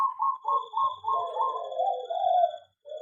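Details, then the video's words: Aviary zebra dove song opening with quick, evenly spaced bubbling notes, then a sustained rolling coo that grows louder before a brief silence and one last soft note; thin high hum behind. "perkutut di aviary lebih cepat gacor dan bunyi"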